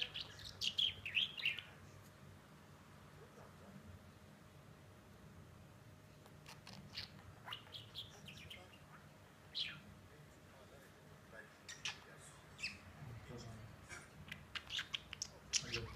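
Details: Pet budgerigar indoors, playful, giving scattered high, scratchy chirps and short warbles over a low indoor hum.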